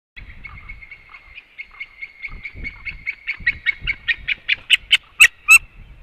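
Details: White-tailed eagle, male and female arriving home at the nest and then leaving, at 18:28; a series of sharp yelping notes, soft at first, then speeding up and growing louder and shriller, with low rumbling noise underneath.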